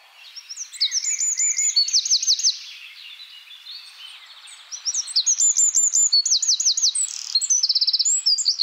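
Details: Eurasian wren singing: two loud, very high, rapid outbursts of sharp trills and fast rattling notes, with quick changes between pitches and a softer, quieter pause between the phrases.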